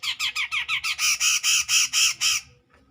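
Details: Harsh, rasping grey-cheeked bulbul notes challenging a rival, 2021: about a dozen loud squawking pulses, quick and descending at first, then slower and broader, ending after two and a half seconds.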